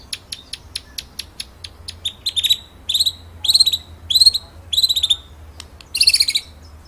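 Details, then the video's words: Master song of a white-rumped shama used to train other birds: fast ticking clicks, then repeated buzzy high chattering phrases about every three-quarters of a second. "BURUNG MURAI MASTERAN NGEROLL NEMBAK"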